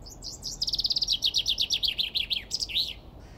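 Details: Common chaffinch male singing while seeking a mate: a bright accelerating series of repeated descending notes forming a rattling trill, ending in a short emphatic flourish, over soft background hiss.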